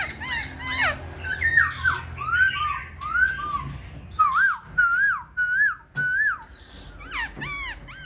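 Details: Caged Black-throated laughingthrush with tail fanned and wings raised, singing a varied run of clear whistled notes: bright upslurred and downslurred phrases, some looping, several short notes repeated in quick succession, with faint room noise.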